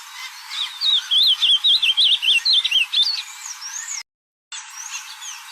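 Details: Ultramarine grosbeak singing in nature: a warbled phrase of quick, zigzagging high notes for about two seconds, then a thinner whistled fragment after a brief cutout.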